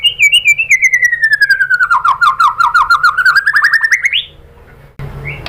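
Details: White-rumped shama lure song, murai batu, for provoking singing: a long rapid trill of repeated notes slowly falling then rising over four seconds, ending in an upward sweep, followed by near silence.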